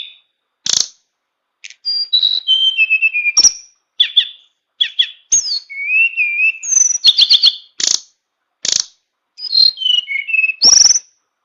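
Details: Tame Tledekan bird singing in flute-like style, full of varied fill phrases: clear whistles, sliding notes and sharp high chips in quick bursts separated by short pauses, no other sounds.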